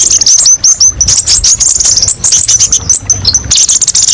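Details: High, thin song of an olive-backed sunbird, called kolibri ninja, used as masteran: rapid chattering chirps mixed with short level whistles, delivered in quick bursts with small pauses.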